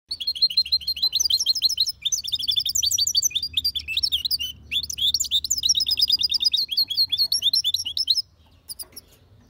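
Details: A goldfinch × canary hybrid (mule) sings a powerful, clean goldfinch-style song, a fast, bright run of twittering and trilled notes.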